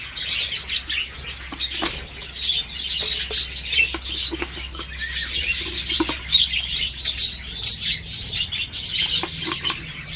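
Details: Several breeding budgerigars, Dutch type, with chicks leaving the nest and laying restarting; chattering high warble with frequent sharp clicks roughly every second or so, and bright chirps bursting through.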